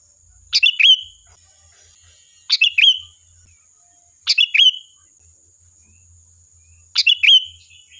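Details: Sooty-headed bulbul song meant as a lure to provoke replies: four repeated phrases, each two sharp chirps then a falling whistled tail, spaced about two seconds apart with a faint constant high hum.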